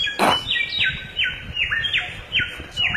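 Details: Samyong in the forest giving a quick run of clear whistled notes, each sliding steeply downward, about two per second, with a brief rustling noise at the start.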